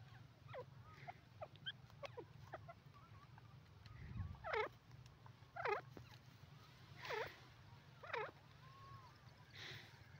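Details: Francolin (teetar) calling, a series of harsh, ringing notes at roughly one-second spacing, each a rising-falling buzzy phrase, with fainter notes earlier and a low steady hum underneath.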